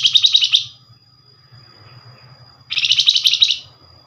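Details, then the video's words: Rapid nyerecet chatter of a Flamboyan bird, used as a lure that other Flamboyan birds answer; two bursts of quick high trilled chips separated by a two-second pause with faint low hum. "Flamboyan call nyerecet pancingan cepat paling direspon"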